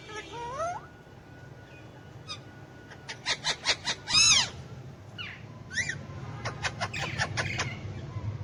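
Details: Tame pet Alexandrine parakeet, kept with ringneck parakeets, talking in Urdu/Hindi: a rising whistled opener, then quick rhythmic chattering syllables, an arched harmonic squawk and further rapid clicking chatter, with low room hum throughout.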